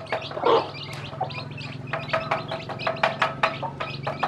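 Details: Hen with her freshly hatched chicks, showing them how to eat; a low throaty cluck sounds early, followed by a run of high, thin chick peeps over a faint droning background.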